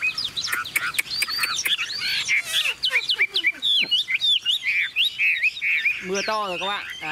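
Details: Caged tame Chinese Hwamei, recently arrived, singing while heavy rain starts: a jumbled, fast sequence of sharp clicks, bright whistles and slurs, closing with a quick, rolling descending trill.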